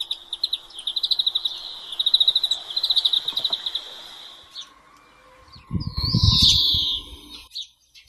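A European greenfinch sings a rapid, ringing trill for about four seconds, then a drawn-out nasal, buzzy wheeze, with a burst of low rumbling noise underneath.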